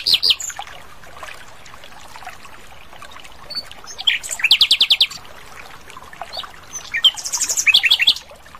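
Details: Asian brown flycatcher singing actively in the wild: short high squeaks and quick trilled phrases of rapidly repeated notes, interspersed with soft twitters, with quiet gaps between phrases.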